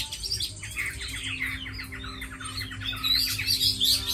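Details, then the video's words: Tame Chinese hwamei, described as a good fighter and fine singer, delivering a fast, varied stream of rich whistled and chattering phrases, notes sliding up and down and tumbling over each other with barely a pause, with a faint steady hum behind. "Mi thuần đấu tốt hót hay"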